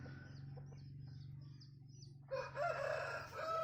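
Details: Bantam rooster starting a laughter-like crow partway through, loud, broken harmonic notes. Before it, a steady low hum and a run of short high chirps.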